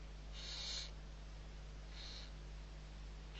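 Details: Barn owl owlets at feeding time, six young, Riet Vell reserve, Ebro Delta, Spain, November 2023; two soft breathy hisses about a second and a half apart, the second fainter, against constant low electrical hum.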